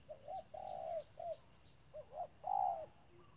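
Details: Spotted dove used as a decoy at a trap, calling strongly; two phrases of short upturned coos leading into a long, loud, steady coo, in a quiet setting.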